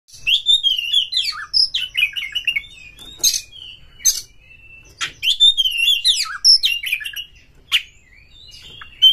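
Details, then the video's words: Oriental magpie-robin lure song meant to stir other magpie-robins into singing and tail-spreading: varied sweet whistled phrases rising and falling, broken by harsh rasping bursts, in two repeated runs with short pauses. "Pancingan Kacer ini dapat Mendongkrak EMOSI PANCINGAN KACER TOP BUKA EKOR"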